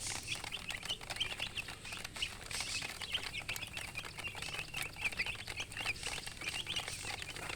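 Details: Baby chickens in a group give rapid, thin, high-pitched peeps that overlap without pause over a constant rustling, pattering background.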